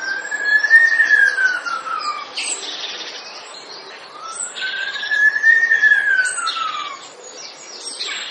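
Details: Male Eurasian blackbird in a garden, singing from about 5 a.m., imitates an ambulance siren: a smooth whistled note rising then slowly falling over about two seconds, given twice, with scratchy high twitters between.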